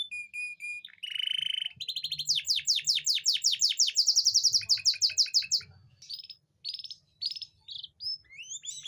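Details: Canary song used to stimulate breeding readiness in reluctant hens: a steady whistled note, then a fast buzzy trill, rapid falling sweeps repeated several times a second, a high rolling trill and scattered upslurred whistles.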